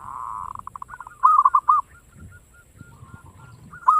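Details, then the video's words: Local zebra dove song used to draw other doves into singing: a low purring trill speeding into quick notes, then a loud run of looping coos, scattered soft notes and a final coo, over faint low noise. "Suara perkutut lokal gacor ngayer engkel cepat mengajak gacor ampuh buat pancingan"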